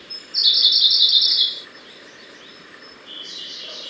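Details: Siberian blue robin song in a forest, a loud rapid trill of high bright notes lasting about a second, then quieter phrases and another high trill starting, over steady background forest noise.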